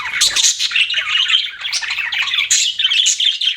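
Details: Several pet budgies chattering together in a dense, continuous stream of high, scratchy chirps and warbled twitters, with short bright whistled notes scattered throughout and no pauses.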